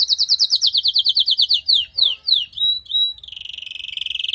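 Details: Canary, a female calling to prepare a male after moulting, delivers fast repeated downslurred whistles, a few slower sweeping notes and short pure whistles, ending in a steady high buzzy roll.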